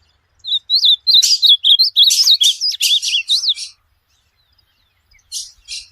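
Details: Meant for tutoring a pet bird, an ultramarine grosbeak sings a fast, lively string of slurred whistles mixed with buzzy chips for about three seconds, then two short scratchy notes after a pause.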